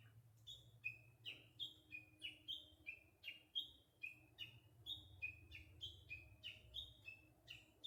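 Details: Japanese bush warbler in spring, giving a steady series of short bright notes that alternate between two pitches and drop quickly, several each second.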